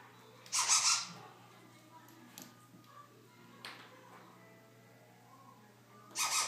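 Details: A pet Congo African grey parrot making noises indoors: loud, harsh, broadband squawks at the start and end, with a brief sharper squeak in between, over a steady low electrical hum.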